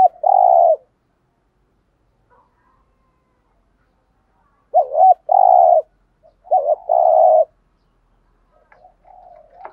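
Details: Spotted dove uttering thúc gù and gáy gọi coos to stimulate other doves: a long hoarse coo, a pause, then double-note phrases each ending in a sustained coo, with faint soft calls at the end.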